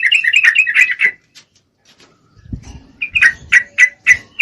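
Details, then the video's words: Calling to a male, a female yellow-vented bulbul in breeding condition gives a rapid, slightly harsh chatter. After a pause with low thumps, a series of separate sharp chirps follows about every quarter second. "Trucuk Betina Memangil jantan, full Birahi"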